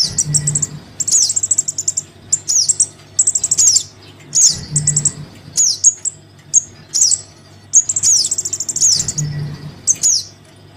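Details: Young crimson sunbird begging its parent, played as a lure for wary birds: shrill, high trilled chirping in quick ticking runs and sharp downward squeaks, bursts every second or so separated by brief gaps, soft low hum underneath.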